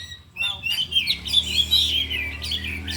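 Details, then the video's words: Four caged oriental magpie-robins in afternoon practice, singing their imitated repertoire: a scratchy opening followed by a sustained rich warbling phrase of fluting whistles and rapid buzzy notes, over a steady low hum. "Latihan Kacer di Sore Hari Biarpun Hanya Burung 4 Tapi Jalan Semua dan Bongkar Isian"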